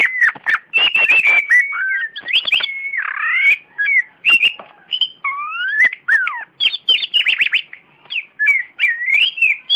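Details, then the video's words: Competition oriental magpie-robin from Indonesia, a champion caged songbird, singing a rich medley: looping whistled slurs, sweeping upward notes, buzzy rattles and quick clicking bursts in a continuous stream. "KACER JUARA BUKAN JAGOAN KANDANG"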